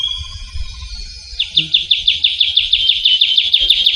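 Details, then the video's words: Wild trilling shrike-babbler (ciu kunyit) from Javan forest giving a rapid, even trill of repeated downslurred notes, around six per second, after a thin high whistle; faint low background rumble. "Suara Burung Ciu Kunyit (Trilling Shrike-Babbler)"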